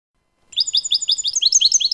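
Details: Goldfinch (European) singing clean 'limpio' song, recorded 2019: a sudden start into rapid repeated chirping phrases, high and twangy, becoming more complex and overlapping as it continues.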